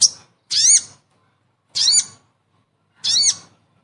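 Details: Sogon lure call for a hard-to-lure bird: three harsh, scratchy, downward-sliding squawks spaced roughly a second apart, each preceded by a faint high tick.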